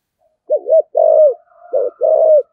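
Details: Spotted dove in 'giọng thổ' voice, cooing to prompt other doves to answer; two rounded coo phrases in quick succession, each a short wavering note followed by a drawn-out falling coo, with faint overlapping tones.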